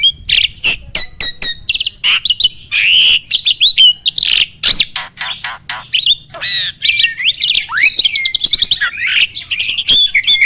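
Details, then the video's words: Starling song for training other birds to sing: long varied stream of clicks, ticks, slurred whistles and rough chattering notes, changing every fraction of a second, with a few clear rising and falling whistles. "MASTERAN BURUNG JALAK AMPUH!!!"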